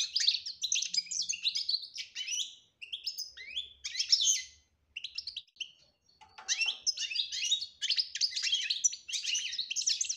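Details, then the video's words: European goldfinch betbeta song, with tasfiya, aimed at starting a silent bird singing; long runs of rapid tinkling twitter with brief breaks near three and five seconds, a few lower rasping notes around six seconds. "بتبتة روعة انتى ولمال نتاعها بتبتة وتصفية الكلام حسونك حايخرج من صامتو"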